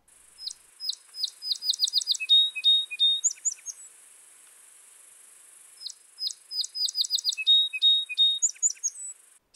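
A Song Sparrow sings twice: a few sharp introductory notes, a quick run of buzzy repeated chips, then a trill and lower notes, each song about three seconds long.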